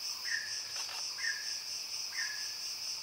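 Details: Short falling whistles from a mountain peacock-pheasant come about once a second against a dense, ringing insect background, with a brief rustle in between.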